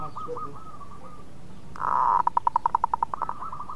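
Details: Eager local zebra dove with a sweet voice that draws other birds into song: a loud swelling coo breaks into about a dozen quick, evenly pulsed bubbling notes, after softer coos from other doves.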